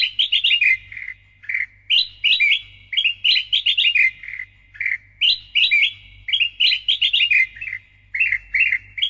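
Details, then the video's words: Sooty-headed bulbul (kutilang emas) singing actively and loudly as training and lure audio: bubbly, fluting phrases of quick rising and falling notes in short bursts with brief pauses, over a faint low hum. "KUTILANG EMAS GACOR SUARA NYARING"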